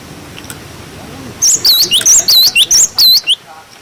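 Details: Cinereous tit singing the 'wucit wucit' style of song, used to tutor young birds: a quick run of about eight clear, high whistled notes with rising and falling slurs, preceded by quiet background hiss.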